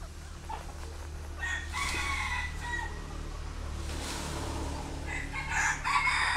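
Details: Red junglefowl hens, young and kept as decoys, rolling in soil; repeated rough, strident call bursts come in clusters across six seconds, against constant low humming noise.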